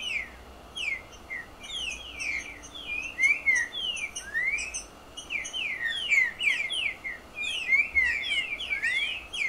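Green-winged Saltator singing a lively run of clear, sliding whistled notes, about three per second, over a faint steady background hiss.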